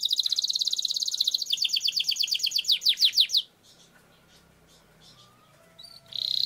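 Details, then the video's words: Canary long-roll song as a lure: a rapid rolling trill that slows into spaced descending notes, a quiet pause, then the trill resumes. "Suara Burung Kenari Gacor Ngerol Panjang Untuk Pancingan Kenari Agar Jadi Juara"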